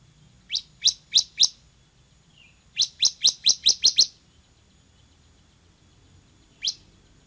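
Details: [3, 'Loud bar-winged prinia singing: four spaced, sharp, high downslurred chips, then a tight run of seven quicker chips, then a single note after a pause, over a quiet background.']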